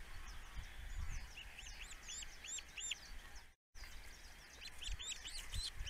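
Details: Osprey father at his nest on a webcam giving loud arched whistled notes in quick series, about six in a row, a brief dropout, then more whistles over low rumbling noise.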